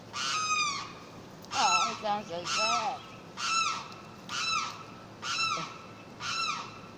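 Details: A Limpkin gives a series of harsh, wailing, downward-sliding cries, about one per second across seven seconds. Lower wavering notes mix in near the start, and a faint steady tone runs throughout.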